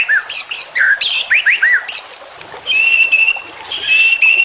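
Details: White-rumped shama (murai batu), a full-isian masteran song: a cluster of bright curving whistles, then a pause, then a long, steady, high trilled phrase.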